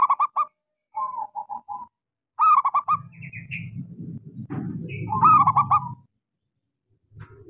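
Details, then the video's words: A local zebra dove sings with a small voice as a lure for silent doves: repeated stuttering coo phrases with soft coo runs, higher chirps from other birds, and a broad low rumbling noise midway. "Suara pancingan Perkutut lokal gacor suara kecil sangat cocok buat terapi kutut macet."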